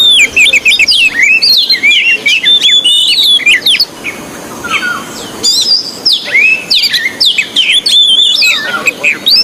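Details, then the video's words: Oriental magpie-robin singing energetically on a training recording, pouring out rapid varied notes, chirps, slurred whistles and clicks in dense bursts, with a short quieter pause midway. "MASTERAN TERBARU KACER GACOR..!! 100% TERAPI KACER MACET BUNYI"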